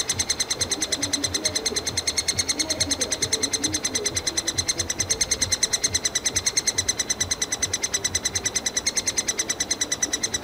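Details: Nestlings of the three-toed woodpecker crying from their tree cavity in Kalinovsky forest park, Yekaterinburg, demanding food from parents: an unbroken, rapid, regular train of high, harsh squeaks, roughly two to three per second.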